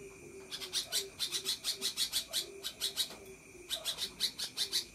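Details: Sooty-headed bulbul giving a long chattering 'ngekek' song: runs of rapid, harsh, high buzzy bursts, about five per second, broken by short pauses, over soft low mellow notes and a steady high hum.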